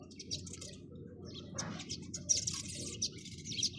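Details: Rapid high sparrow chirps, thin and irregular, building to a dense twittering patch in the second half, over a low steady hum.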